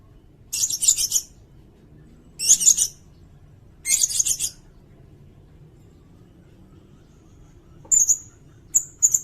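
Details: Sirindet song used as a training recording for songbirds: three short, very high buzzy trilled bursts about 1.5 seconds apart, then thin high whistled notes near the end, over a faint low hum.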